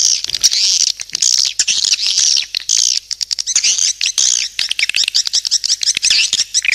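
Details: Calling sound used to attract swiftlets: bursts of thin, wavering twitters separated by brief pauses, peppered with quick clicks.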